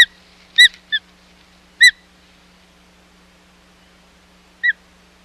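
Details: At the Hog Island osprey nest on 25 July 2020, during a failed second fish delivery, the osprey gives a quick cluster of shrill whistled chirps, pauses, then adds a lone chirp nearly three seconds later.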